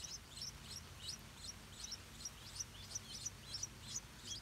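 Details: Stripe-throated bulbul parents defending a nest of hungry hatchlings, Southeast Asia: a steady series of sharp, high, downslurred chirps, roughly three per second, over a quiet low outdoor hum.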